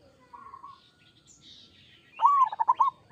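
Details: Zebra dove of the local perkutut type singing a single phrase: a long bending coo followed by rapid bubbling pulses, with thin twittering of other birds in the background beforehand.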